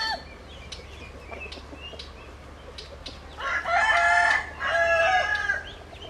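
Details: Light chirping of small birds is followed by a rooster's strong crow in two drawn-out, wavering segments with a short break between them.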